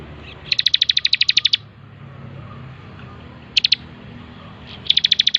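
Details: Energetic bar-winged prinia song for training other birds: a fast run of about a dozen bright, high ticking notes, a brief two-note burst, then another quick trill, with quiet gaps between.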